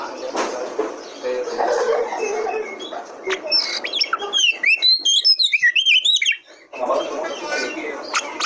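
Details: Territorial Oriental magpie-robin (kacer) song used to provoke other kacer into singing. Loud background rumble gives way to a two-second burst of varied whistles and high twittering notes, after which the noise resumes.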